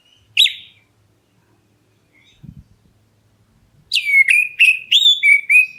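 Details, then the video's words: Black-breasted oriental magpie-robin calling to provoke other birds into answering: a single sharp downslurred note, a pause with faint low thumps, then a rapid run of loud, clear whistled notes sliding down and levelling off. "KACER DADA HITAM MEMANGGIL, BURUNGMU LANGSUNG NYAUT!"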